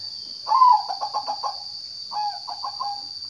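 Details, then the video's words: Zebra dove with two song phrases of rapid bubbling coos. The first is loud with an accented start, and the second is softer and shorter, over a persistent thin high whine. "Kicau burung perkutut"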